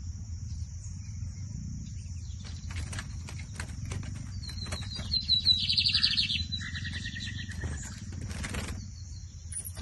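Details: Lined seedeater (bigodinho) at a 2023-season song competition: one high phrase of whistled notes leading into a dense buzzy trill, with a lower fainter trill after it, amid clicks, knocks and low steady background noise.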